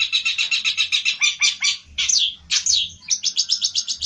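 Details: Olive-backed tailorbird, worked up and seeking a rival, pours out a fast chattering trill of high notes, breaks into a few sharp swooping calls, then resumes the rapid trill.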